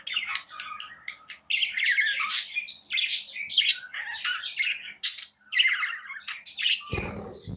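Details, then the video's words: Pet budgerigars, tamed, keep up a busy stream of warbling chatter, scratchy squeaks and sharp chirps with a couple of short breaks, closing with a heavy low thump of handling noise. "Budgies Sounds"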